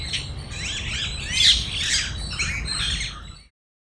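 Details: A flock of rose-ringed parrots feeding on grain in Cubbon Park, Bangalore, screeching at once in harsh overlapping squawks and chirps, loud enough to scare off a squirrel, over a steady low background rumble.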